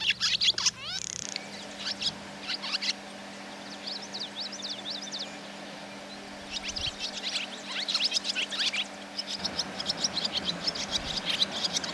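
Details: Barn swallow chicks in a nest above a milking parlour door, on a rainy day, chatter in bursts of thin, high, rapid twittering chirps with brief pauses between flurries, over a low steady mechanical hum.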